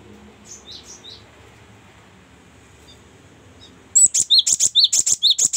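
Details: Cinereous tit (Parus cinereus) song: a few faint high whistled notes, then a loud, rapid burst of sharp, very high repeated notes, about five per second.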